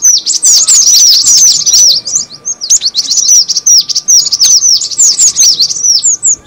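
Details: Cinereous tit call used as a bird lure. Busy, continuous twittering of high, quick downslurred chirps packed closely together, with brief dips between runs and a low constant hum in the background.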